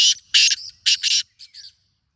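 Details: Close, loud harsh calls of a wild black francolin, several rasping, buzzy bursts delivered in quick grouped rhythm, tailing off into two fainter scratchy notes.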